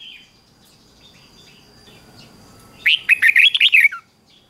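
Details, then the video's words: Red-whiskered bulbul song used to coax other bulbuls into singing: after near quiet, a quick burst of about seven bright, warbled notes lasting a second, with a thin steady high tone in the background. "Luyện cho chào mào hót sáng"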